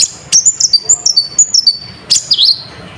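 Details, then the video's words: Sunbird (konin) song used as a lure to stir up other birds' emotion, full of fill phrases: sharp high whistled notes and short descending slurs repeated in quick, uneven bursts over faint background hiss. "Pancingan Burung Konin Gacor Full Isian ⁉️ Efektif Untuk Menaikkan Emosi Burung"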